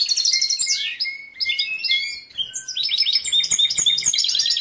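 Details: Male European goldfinch kept in a cage, in breeding condition and singing for a female who ignores him; clear thin whistled notes and sweeping slurs give way to rapid jangling twitters, with a brief lull midway.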